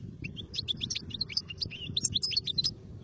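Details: Goldfinch song: a rapid, continuous string of high, liquid chirps and short whistled notes, jumping quickly between pitches, with faint low noise behind.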